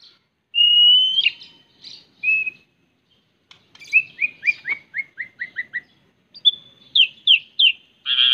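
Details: Pet white-rumped shama giving clear whistled song: a long steady whistle, then a quick descending series of short slurred notes, followed by more bright whistles and sweeping phrases with silent pauses between.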